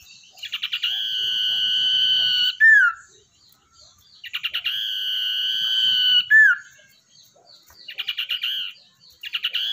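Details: Lure-bird common iora, caught wild and tamed, repeats its phrase: staccato notes running into a long drawn whistle with a falling tail, heard twice in full before further stuttered starts.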